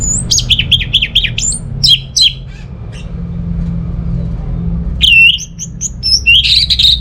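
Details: Orange-headed thrush song used to prompt quiet home birds into singing: rapid high whistled and trilled phrases with wavering notes for two seconds, a pause over low hum, then a burst of varied sharp whistles.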